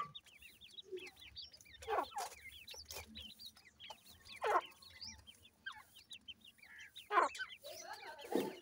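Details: Grey francolin (irani teetar) chicks calling: a steady stream of thin, high, rising peeps repeated in quick succession, with occasional louder rustling bursts and faint low background noise.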